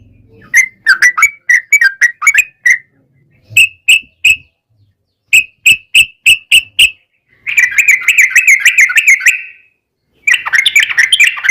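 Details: Sooty-headed bulbul singing as a lure to prompt other bulbuls to answer, bursts of clear chirping notes broken by pauses, then a fast, dense rattling trill and a final chattering run.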